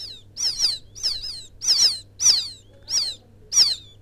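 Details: Quail chick of the rice fields calling for its mother, used as a lure sound. High, falling peeps often come in quick pairs, spaced irregularly, in a quiet setting.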